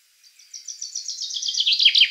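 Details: A chaffinch of the Black Sea subspecies sings a bright, high song that speeds up and grows louder as it tumbles down the scale, then ends in a short, lower flourish.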